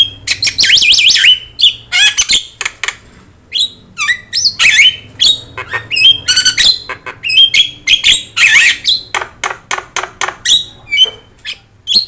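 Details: Javan myna in full song, yellow-eyed, used as a master tutor for other songbirds; a loud rapid jumble of harsh rasping bursts, clicks and upslurred whistles delivered in quick succession with short gaps.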